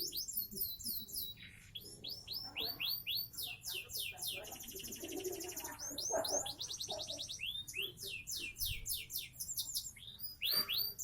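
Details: Seven-month-old caged canary of the Sonji SF line from Indonesia singing a rich, loud song of fast descending high trills, buzzy rolls and sweeping whistled notes; faint voices in the background.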